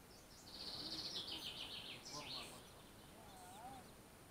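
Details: A fieldfare at its nest by a river on 18 June 2015 gives harsh, rattling high chatters in two quick bursts, then a faint whistled note, over steady rushing background noise.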